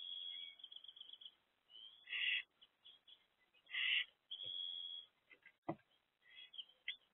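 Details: In a nest box, three owlets recorded 13 April 2024 between 1 am and midday produce long, even hissing notes broken by louder raspy screeches, with a sharp knock partway through.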